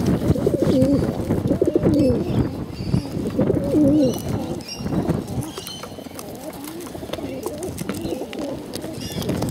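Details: Hungry bottle-fed pigeons give loud wavering, quavering begging calls in the first half, then quieter calls amid clicking and rustling, with faint high chirps behind.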